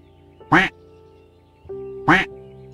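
A duck gives two loud, harsh, nasal quacks about a second and a half apart, over a soft background of steady music.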